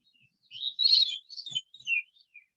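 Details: A Veery, the smallest thrush, sings in Westchester woodland, where it is present May to fall: a breezy, ringing phrase of two simultaneous notes crossing and spiralling downward, ending in fainter high notes, with a soft low thump midway.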